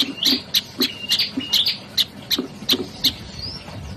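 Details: Olive-backed tailorbird producing loud sharp chirps at roughly three per second, interleaved with short level whistles, then a brief rising whistle before stopping.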